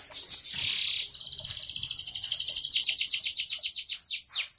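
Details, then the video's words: Canary pouring out 'bocor'-style song: a dense high rattle, then a fast even buzzy trill turning into rapidly repeated descending sweeps that slow toward the end. "Kenari bocor rajin"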